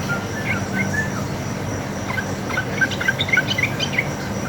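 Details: Wild yellow-vented bulbul singing a vigorous fighting 'ropel' song, a lure to make other bulbuls reply. A few slurred whistles give way to a quickening run of chirpy notes against constant background hum.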